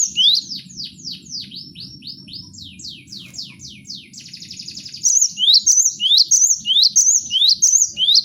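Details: Cinereous tit, a caged bird recorded as a training song for other songbirds: fast downslurred whistled notes in a rapid run, then loud, clear two-note rising phrases repeated steadily about twice a second, over a low background hum.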